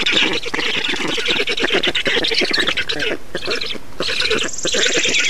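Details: Estonian black storks during a feeding at the nest, 6 June 2019: continuous hoarse, scratchy squawking with a rapid pulsed texture, a short lull past three seconds, then the rasping chorus returns.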